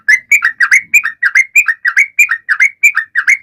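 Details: Sooty-headed bulbul in energetic song meant to coax quiet birds into singing: paired, slurred whistled notes tumbling up and down, delivered in quick regular bursts with no other sounds.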